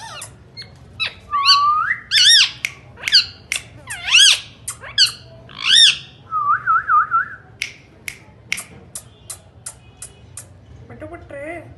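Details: Talking Indian ringneck parakeet giving loud looping squawks and harsh screeches in quick succession, then a trill of short rising whistles, followed by scattered clicks and a few soft wavering notes near the end.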